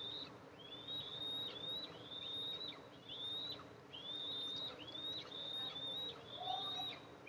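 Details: Eastern imperial eagle nest, July 14, 2024, as the mother brings food to two eaglets; persistent high whistles with upswept beginnings and falling tails, nearly continuous, a lower brief whistle near the end.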